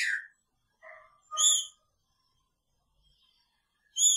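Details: Green-winged saltator, a caged male housed together with its female, sings a few brief whistled notes with rich overtones, then a long pause before another clear whistle; no other sounds.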